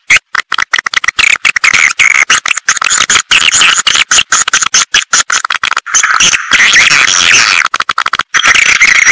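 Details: Swiftlet lure call played to attract birds into a nesting house: dense, fast bursts of high chirps and twitters, broken by short silent gaps and thickening toward the end.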